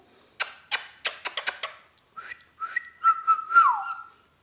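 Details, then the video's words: Rose-ringed parakeet kept as a pet, producing a series of sharp clicks, then a sustained level whistle ending in a quick downward dip. "talking heavan beutyfull magical ringneck"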